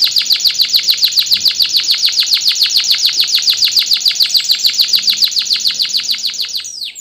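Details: Singing canary, ngerol nembak style: a rapid series of bright, high, chipping notes, about three or four a second, delivered evenly for several seconds before fading at the close.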